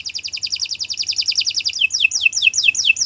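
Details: Canary singing as a tutor recording: a quick rolling trill of bright high notes that slows into a series of separate down-slurred whistles.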